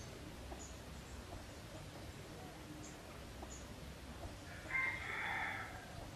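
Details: Wild junglefowl living around a pagoda near Teuk Chob Khnar Po Community Forest, Siem Reap, Cambodia; one distant crow near the end, a short rising note then a drawn-out hoarse phrase, over steady low rumbling background noise.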